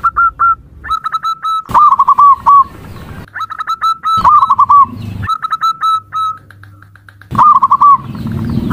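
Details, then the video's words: Zebra dove calling: runs of short, clear, wavering cooing notes, mid-pitched and slightly descending, repeated in phrases separated by abrupt cuts and brief sharp clicks. "Suara Panggilan Perkutut"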